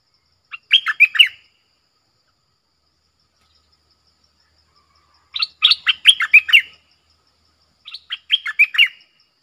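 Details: Red-whiskered bulbul song, described as a doubled, clear and pleasing style: three bursts of quick warbled notes, each short and bright, separated by gaps of about four seconds and two seconds.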